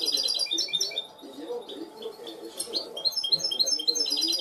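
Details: Goldfinch hybrid trained to cante limpio, delivering quick bright chirps and short trilled bursts at a fast, uneven pace, with a soft low background hum beneath.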